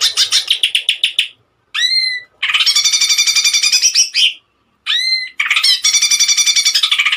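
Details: Cucak ijo, or greater green leafbird, singing in the 'tembakan' style: rapid rattling bursts alternating with single rising whistles, each followed by a long, dense buzzy trill of fast notes.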